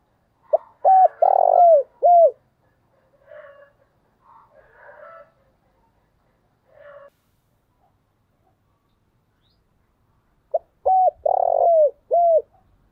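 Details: Decoy spotted dove in Vietnam's lowland style calling thúc bổi: two full coo phrases of short note, coo, long quavering coo and falling coo, separated by scattered soft chattering notes.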